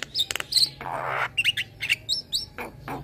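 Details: Young male black-winged starling, a caged bird, sings for a master recording used to train cage birds, bobbing its head: short whistled notes and upward-slurred chirps mixed with harsh broadband rasps, over a low steady hum.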